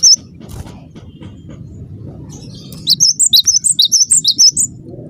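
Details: A cinereous tit gives a lure call meant to set other tits answering: one high note, then a steady run of about twelve piercing chirps, with low rumble beneath.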